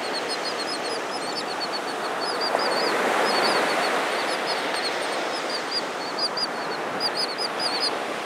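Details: Royal terns on Malibu Beach give short, arched, high calls in quick succession, several birds overlapping, over a steady roar of surf and wind; a presumed male is courting a female.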